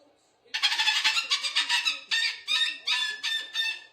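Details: Pet cockatoo yelling: a rapid string of about ten harsh, raspy screeches with a buzzy ring, some run together and others in short separate bursts, filling three and a half seconds.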